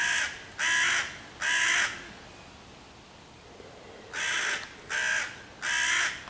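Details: Hooded crow mobbing five young raccoon kits in a tree near a tree hollow, 11 June 2023, calling loudly to chase them off and summon other crows; three harsh caws, a pause of about two seconds, then three more.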